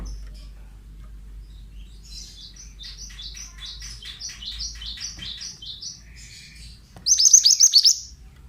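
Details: Oriental magpie-robin male for bird training: a long soft run of repeated high chirps, as if more distant, then a loud close burst of quick hooked notes over low background hum.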